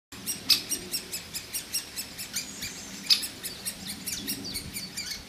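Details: Woodpecker young being fed by a male and a female parent, giving harsh, high, buzzy begging notes in quick irregular bursts, several per second, with a couple of louder sharp peaks.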